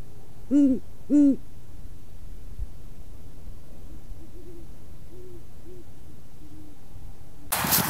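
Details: Great Horned Owls courting in autumn at a perch in Waukesha, Wisconsin, in a male-female singing contest: two deep, loud hoots near the camera, then fainter, softer hoots from owls off-camera, then a burst of noise at the end.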